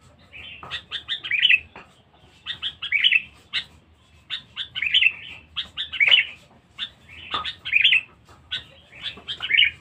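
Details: Sooty-headed bulbul lure (pikat) song from a very vocal, fierce bird: quick stuttering notes building into bubbly, slurred whistled phrases, repeated roughly every one and a half to two seconds throughout.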